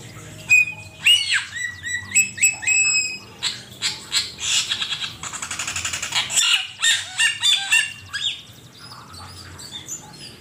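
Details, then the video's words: Asian pied starling song for training songbirds: a long, busy medley of whistles, harsh grating notes and rapid chattering phrases, briefly broken by a short pause, then continuing with softer scratchy notes. "Suara burung cucak keling masteran jitu 100%"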